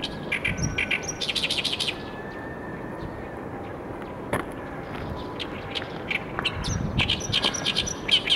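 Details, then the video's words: Oriental reed warbler singing: harsh, chattering bursts of rapid grating notes in the first two seconds and again near the end, separated by a quieter stretch with a steady background hiss. "オオヨシキリの鳴き声 2"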